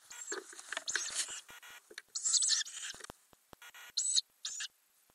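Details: Ural owls in a nest box with owlets growing, captured in May 2020 from a camera under the lid; dense, high wheezy hisses overlap with shuffling and scratching, ending in two separate short hissing squeals.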